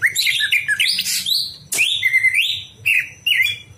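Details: Night song of greater green leafbird used to train other birds: continuous rich warbling of mixed whistles and harsh notes, a loud click, then lilting rising and falling phrases.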